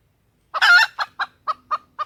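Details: Hen junglefowl lure call meant to draw males and provoke crowing: one long grating cluck followed by five short, evenly spaced clucks about a quarter second apart, no other sounds.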